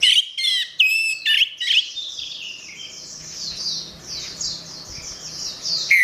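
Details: Gacor song of an orange-headed thrush, recorded for training caged songbirds. Several sharp, ringing whistled notes open the phrase, then a dense, hissing wash of high twittering continues until a final clear whistle.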